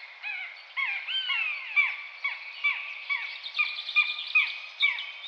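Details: Common buzzard (Buteo buteo) calls: several long descending mewing whistles, then a quickening run of short, clipped notes repeated about twice a second, partly overlapping.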